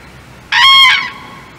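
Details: A common crane at Czechowice-Dziedzice, Poland, in February 2024, gives a single loud, rolling trumpeted call of about half a second, with a rich, harsh, bugling tone, against a quiet background.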